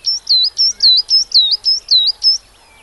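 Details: UK coal tit giving a quick run of high, sweet, see-sawing two-note phrases, about five repeats in under three seconds, clear against a quiet background.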